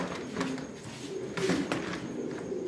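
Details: Racing pigeons in a loft during summer breeding preparation; low, soft cooing murmurs swell near the middle, with scattered clicks and taps and faint background noise.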